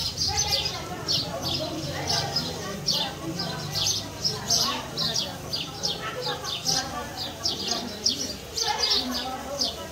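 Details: House sparrows at a nest inside a house, fighting over it: steady, busy high chirping, roughly several notes a second, with human voices murmuring underneath.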